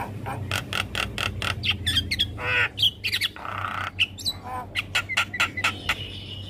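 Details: Dense chatter of clicks, squawks and raspy buzzes from a young black-winged starling, a masteran tutoring song full of fill notes. Piping whistles recur through it, with a steady low hum behind.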